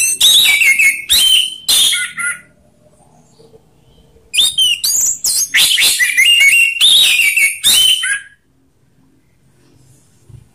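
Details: Orange-headed thrush singing in two loud bursts of varied whistled and scratchy phrases, mixing rough and slow song styles, with a quiet gap of about two seconds between bursts and silence near the end.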